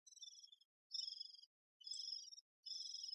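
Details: Great spotted woodpecker busy with its young: short, high, harsh buzzy bursts of about half a second, repeated roughly once a second with brief silent gaps.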